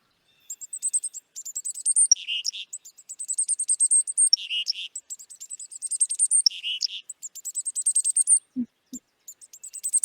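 Black-capped Chickadee giving a busy run of thin, high, sharp notes broken by three lower, buzzy 'dee' bursts about every two seconds; a brief low thump near the end.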